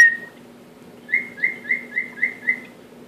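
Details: Indoor male cockatiel learning the Andy Griffith song: one long whistle, a pause, then six short, evenly repeated chirpy whistled notes at the same pitch, with a low background hum.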